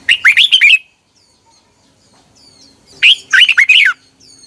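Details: Morning lure song of a red-whiskered bulbul, recorded in 2021 for training other birds: two rich, warbling whistled phrases of about six quick rising-and-falling notes, separated by roughly two seconds of near silence with soft distant chirps.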